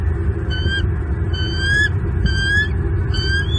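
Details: Wild male bald eagle in Southwest Florida hollering at an intruding eagle while guarding two chicks on the nest, February morning; four shrill, slightly rising whistled squeals spaced under a second apart over low background rumble.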